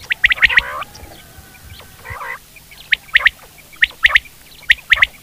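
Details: Quail calling: sharp, clipped notes in quick groups of two or three, repeated roughly every second, mixed with a few lower, nasal, harmonic calls and steady faint background hum.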